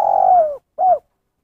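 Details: Clear spotted dove coo in 'kuk satu' style: a loud sustained coo dropping slowly in pitch, a short gap, then one short rounded hoot ending the phrase. Silent background.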